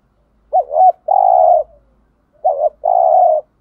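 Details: Spotted dove coo of the 'thúc gù' type meant to excite wild doves. Two phrases, each a bouncing double note leading into a steady, prolonged low tone, roughly two seconds apart.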